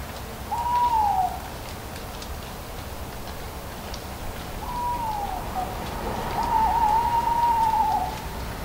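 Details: An owl hoots among falling leaves: two short falling notes, then a longer wavering one, over a steady rustle of wind and leaves. The recording is nearly a decade old.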